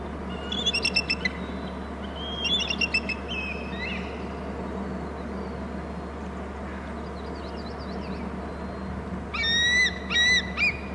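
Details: Bald eagle at its nest and territory on Hornby Island, calling in three bursts of rapid, high, piping chatter with harmonics, each run of notes lasting about a second, over a steady low electrical hum.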